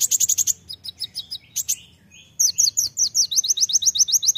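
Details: Olive-backed sunbird (konin) singing energetically, a masteran with rapid bursts called tembakan: fast runs of very high, thin chirps, then a sharp repeated series of upslurred notes at about two to three per second, with brief pauses.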